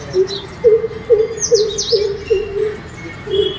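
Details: Greater coucal, called Bhardwaj in Marathi and Ratnpakshi in Kannada, singing from a house gallery at the time of Gudi Padwa or Ugadi. It gives a run of deep, hollow hoots repeated about every 0.4 seconds, with faint higher chirps from other birds and a low background hum.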